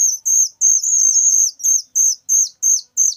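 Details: Very loud chick of a whistling thrush: high, thin whistled notes, each ending in a quick downward hook, repeated about three times a second with short gaps and no other sounds.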